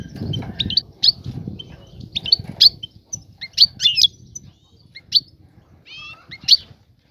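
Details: European goldfinch female calling the male to mate and nest: scattered sharp, high tinkling chirps in small clusters roughly every half second to second, with soft low rustling early on.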